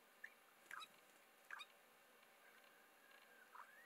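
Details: Spiny-cheeked honeyeater in the Mallee near Patchewollock, Victoria, giving short, abrupt, slightly descending notes at uneven gaps of about half a second to two seconds, over a quiet hissing background.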